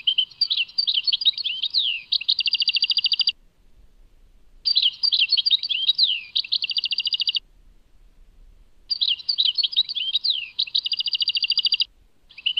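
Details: Tadmait song of a European goldfinch: three fast twittering bursts about three seconds long, each opening with tinkling slurred notes and ending in a dense buzzy trill, separated by silent gaps.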